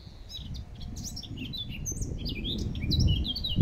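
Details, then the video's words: In Regent's Park, London, a blackcap sings a rich, fast, varied warble of clear fluty notes that rise and fall, over a steady low rumble of background noise. "beautiful Blackcap sings."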